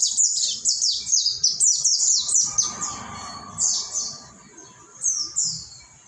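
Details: Pleci monty, the mountain white-eye, sings a training song meant to restart silent birds: a fast run of high, downslurred chirps, over three a second, slowing into spaced twittering phrases over soft background hum.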